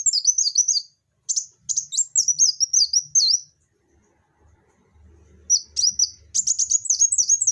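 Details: Olive-backed sunbird in lively song, delivering bursts of sharp, high, squeaky chirps and quick down-slurred twitters, separated by short silences, with faint low background rumble in the middle.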